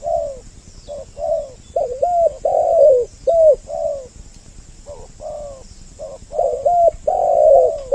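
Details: Two spotted doves on a lure track meant to attract males and females. Low mellow cooing comes in uneven clusters, quick doubled notes and longer drawn-out coos that fall at the end, with a steady faint background hiss.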